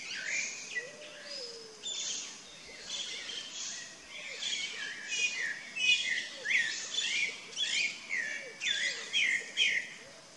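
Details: Chalk-browed mockingbird in sustained song, a long series of loud, varied phrases with buzzy and whistled elements at irregular intervals, accompanied throughout by repeated soft low arching calls from other birds.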